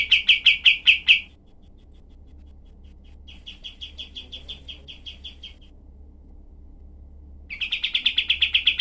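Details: Cream-vented bulbul in harsh, densely spaced shot-like song for tutoring other songbirds: a loud rapid burst of notes, a pause, a soft fast series of quiet notes, silence, then a loud fresh run of quick clipped notes.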